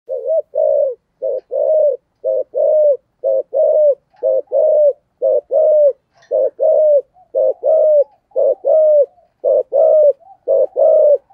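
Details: Spotted dove of the Vietnamese "giọng thổ" voice style cooing steadily: low, soft, mellow coos in short grouped phrases, each note ending in a slight downward curl, repeated nearly once per second over a quiet background.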